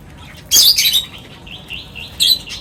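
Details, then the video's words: Birds at feeding time, gathered for a meal: a loud burst of high, harsh chirping notes, then a run of short whistled notes, and a final sharp chirp. "Birds Feeding Time Sounds | Birds Chirping sounds"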